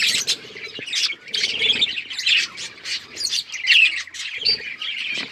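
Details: Chirping budgies, the Australian parrot, trade harsh squawky notes and quick high twitters in bursts, a lively group chatter with short gaps and a faint low rumble.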